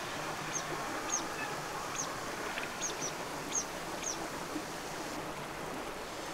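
Grey Wagtail giving sharp, very high, clipped call notes, singly or in quick pairs about every half second, over the steady rush of running water.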